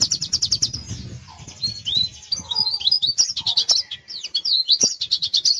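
An Oriental white-eye sings a fast, high, continuous jumble of twittering trills and sweet slurred notes that imitate a canary, with faint low background rumble.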